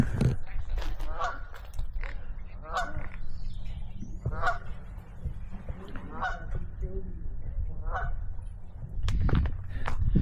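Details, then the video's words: Two geese on Russell Island, British Columbia, honk in harsh, nasal bursts about every one to two seconds, one voice lower and one higher, sounding different and apparently communicating, seemingly upset, over low wind rumble and talking. "Those two geese are totally sounding different. They're communicating."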